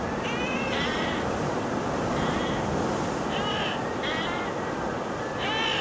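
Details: Inca terns at Cañete, Lima, Peru, on 09-10-15 give harsh, nasal, cat-like calls in short bursts every second or so, over a steady roar of surf or wind.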